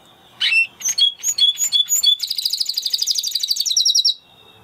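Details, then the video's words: Spanish Timbrado canary singing: a few loud, separate whistled notes, then a fast, rippling trill of many pulses, with a brief quicker rattle before the song ends. "Canary Sound Effect - Canary Singing Video"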